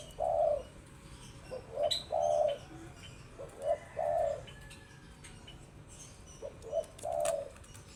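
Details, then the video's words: Spotted dove cooing: low, soft hooting phrases of two or three notes, repeated several times over eight seconds, with faint background hiss and distant higher chirps. "Tekukur Istimewa"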